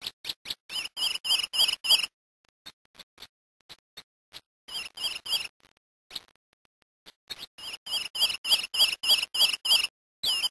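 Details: A Brazilian Lemon-chested Greenlet sings rapid bursts of six to eight high, clipped whistled notes, repeated in phrases with short pauses between.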